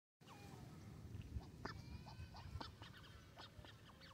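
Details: Young mallards by Varistonlampi pond in Vantaa, Finland: a busy scatter of short, high chirps and peeps, several birds calling over each other against a steady low rumble.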